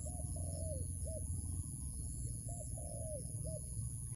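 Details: Wild dove calling at a trap site, two short-long coo phrases with a brief hooked note after each, heard over steady low rumbling background noise.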